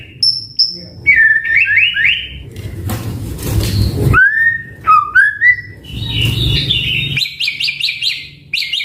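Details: Singing white-rumped shama delivering mixed phrases: high clear whistles, quick stuttering notes, rapid repeated high chips, and a broad noisy burst midway, over a low background rumble.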